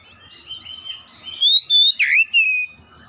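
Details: Oriental magpie-robin song, played to get other magpie-robins, including house-kept birds, singing. It opens with soft, rambling warbles, then breaks into loud, clear whistled phrases, one with a sharp dipping slur, before fading back to quiet twitters.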